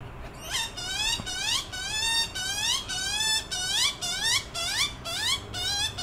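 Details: Young magpie being fed in a street in Frankston: loud, rasping, rising begging squeals with harsh buzzy overtones, repeated about twice a second in insistent bursts.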